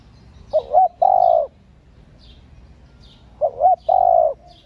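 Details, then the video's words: Female spotted dove cooing to stimulate males, played to train captive decoy doves: two short rising-falling notes, then a long steady hooting coo, the phrase repeating after about three seconds, with faint high chirps above. "cu gáy CU MÁI.MÁI KÍCH TRỐNG.Tiếng cu gáy mái kích mồi tập bổi,kích bổi ức chế gáy"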